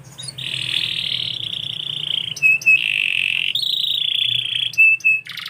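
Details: Canary delivering long, steady, high rolling trills in several tours, separated by short clear piping whistles; faint low hum underneath.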